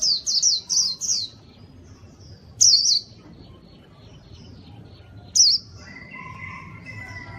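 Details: White-eye in lively song, played to lure wild birds: bright high whistled phrases of quick descending notes in a burst, then two short isolated phrases, with a softer lower warble near the end.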